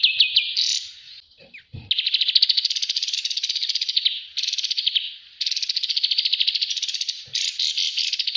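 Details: Bulbul on a training master recording: a few high chirps, a short gap with soft knocks, then long dry, rattling trills of very rapid high pulses in several bursts.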